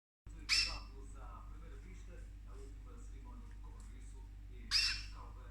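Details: Cockatoo kept indoors, eating orchids, gives two short harsh squawks several seconds apart over a low steady hum, with quiet room noise between calls.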